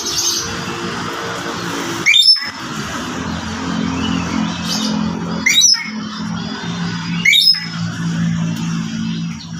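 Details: Javan green magpie at Mount Sawal, West Java, a bird whose population is described as nearly extinct. Three sharp, harsh calls with ringing overtones, spaced about two seconds apart, over a steady low hum and background noise.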